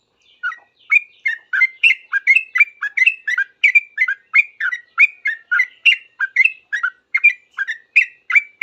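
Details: Sooty-headed bulbul in lively reply to other bulbuls, delivering a dense, nearly continuous chatter of quick bubbly notes, about three per second, for the whole stretch.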